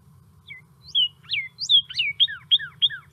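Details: Northern Cardinal in the desert of southeast Arizona in winter, giving clear whistled slurs that speed into a run of quick, downslurred siren-like notes, about three per second, over a faint low rumble.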